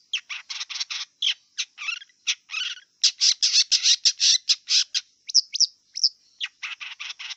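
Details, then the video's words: Wild long-tailed shrike song: rapid run of harsh, broadband chattering notes mixed with a few hooked whistles, delivered in dense bursts over seven seconds, with a thin constant high tone in the background. "Kicau cendet liar"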